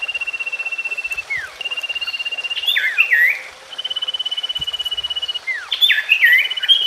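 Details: Common iora singing a sustained, buzzy, trilled whistle on a level pitch. Phrases are broken by short downward slurs and twisting chattered notes, and the pattern repeats twice.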